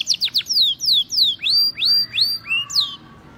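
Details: Male canary singing vigorously: a fast series of clear descending whistled notes, roughly three per second, followed by upward-hooked whistles, then silence.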